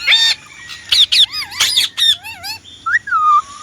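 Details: Indian ringneck parrot giving scattered harsh squawks broken by pauses, mixed with wavering whistled notes that dip and rise, and ending in a clear falling whistle that trails into a lower steady tone.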